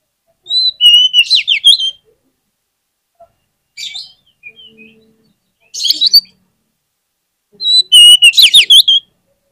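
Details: Oriental magpie-robin song played to lure other magpie-robins into singing: four separated bursts of whistled notes and fast, downward-sweeping chirps, the first and last bursts loudest, with quiet gaps between.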